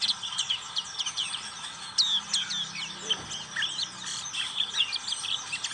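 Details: Black-capped white-eye in ngriwik song, bright, jumbled high chirps and down-slurred squeaks pouring out quickly, with a brief low murmur in the middle of the passage.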